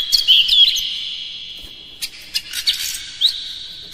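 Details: Oriental magpie-robin singing dense, hard song material meant to provoke other kacer: quick whistled flourishes at the start, then a held high tone dotted with short sharp chips and a slurred upward whistle.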